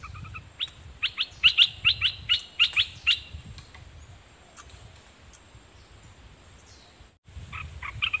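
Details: A decoy red-whiskered bulbul sings at wild birds: a rapid series of about ten sharp, clear whistled notes over three seconds, then a quiet stretch and a brief burst of chirps at the end.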